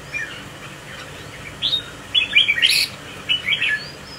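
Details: Displaying red-whiskered bulbul, a 'mào đinh' crested bird swaying as it sings: two short groups of quick, sharp chirps and whistles, the middle burst loudest and brightest, over a faint hiss of background noise.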